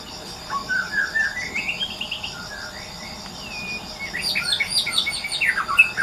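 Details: White-rumped shama singing in the wild: soft rising whistled phrases, a quiet stretch, then a denser burst of varied chirps and whistles near the end over a steady insect background.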